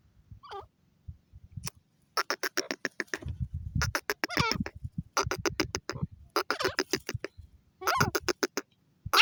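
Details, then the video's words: Francolin, known locally as teetar, calling in harsh rasping bursts of rapid notes grouped in short phrases, with low thumping and handling noise between the bursts. "teeter ki awaz"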